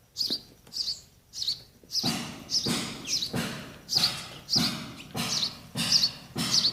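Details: Young sparrows begging as they wait for the parents produce rapid high chirps, speeding up to nearly two per second, with noisy rustle under the later calls.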